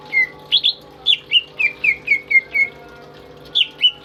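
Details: Tame greater green leafbird kept as a pet, singing vigorously to tutor other birds: quick sequence of sharp chirps followed by a string of clear falling whistles, roughly four notes per second, then a pause.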